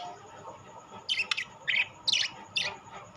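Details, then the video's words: Rainbow and classic budgerigars together; after a quiet second, four short bright chirps come in quick succession, each a brief scratchy burst, over a low background hum. "বাজরিগার পাখি"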